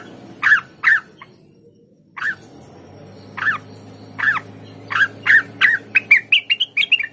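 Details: Olive-winged bulbul, used to make other birds of its kind sing eagerly: short bright slurred notes, first in pairs, then quicker, rising toward the end, with pauses between phrases.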